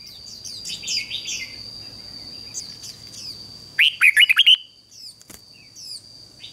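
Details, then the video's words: Decoy red-whiskered bulbul singing to draw in wild birds: one loud burst of rapid, looping warbled notes near the middle, preceded by softer high chirps and twitters, over a constant thin electronic-like whine and low background rumble. "Chào Mào Mồi Hót Gọi Chim Rừng Kích Chim Hót Hay"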